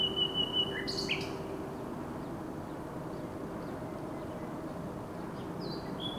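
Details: Common nightingale song recorded 16 May 2023: short sharp whistled phrases, a brief buzzy burst and quick slurred notes, then a clear sustained whistle at the end, against a steady low rumble.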